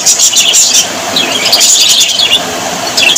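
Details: Budgerigars, Australian parrots said to be very happy, chattering together: dense, overlapping high chirps and squeaky warbles run throughout, with a steady broadband hiss underneath.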